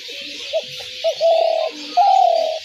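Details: Spotted dove lure call, brief opening notes followed by two extended, rough-textured coos, the second higher and gently falling; faint low murmur and hiss in the background.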